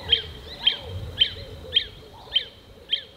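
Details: A Lesser Honeyguide in southern Africa, singing from its song post at the top of a tree in early spring, repeats a short, bright, high note about twice a second in a steady series, with a faint low rumble behind.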